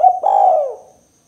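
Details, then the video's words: Fragment of a spotted dove (tekukur) 'kuk 2' lure call for enticing other doves: a clipped hoot followed by a smooth, long, downward-gliding coo that fades out, otherwise silent. "Suara Burung Tekukur Kuk 2 Paling Gacor Terbukti Ampuh Untuk Pikat & Pancingan Tekukur APAPUN"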